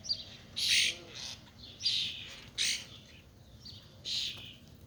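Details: A female cowbird fighting off starlings at a suet feeder gives harsh, raspy squawks about every second, each short and rough, with a faint background hum.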